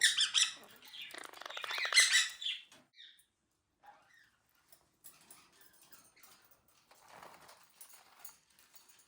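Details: Pet Quaker parrots busy building a nest give harsh, loud, broadband squawks for about two and a half seconds. Quieter scattered chirps and rustling follow, with one softer squawk near the end.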